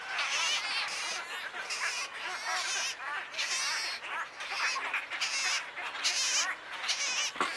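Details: Wood stork chicks at Wakodahatchee Wetland, Florida, begging in a loud raspy, wavering chorus broken into uneven bursts, with a low hum partway through.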